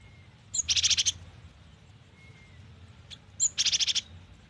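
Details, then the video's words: Gelatik batu, or cinereous tit, singing actively with full variation: two phrases nearly three seconds apart, each opening on a thin high note and running into a fast series of six or seven ringing high notes; soft low hum behind. "GELATIK BATU GACOR || the melodious sound of stone sparrows"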